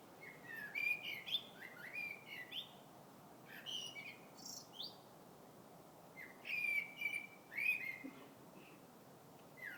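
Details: Wild bird singing in February: clear whistled phrases around the upper-middle range, some sliding and warbled, in bursts separated by short pauses, over a soft steady background hiss.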